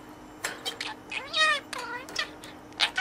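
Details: Caged pet budgerigar playing with a toy and talking to it using learned words: quick chattering, warbled speech-like phrases with rising and falling tones, broken by short chirps.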